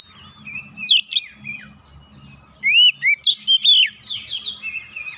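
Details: Oriental magpie-robin (kacer) worked up and pouring out its repertoire, a lure for other singing birds; faint scratchy notes and a brief loud phrase, then a strong series of four or five ringing whistles.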